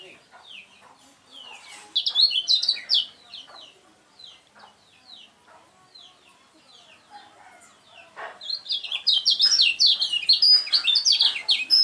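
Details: Lemon-bellied white-eye, a contest bird, in song: bursts of rapid high twittering phrases, quieter scattered notes and clicks between, then a long loud rush of chattering song.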